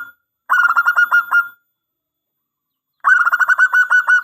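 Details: Zebra dove of local stock in full, loud song for use as a calling lure: two fast, vibrating coo phrases of about a second each, rich and resonant, separated by a clear silent gap.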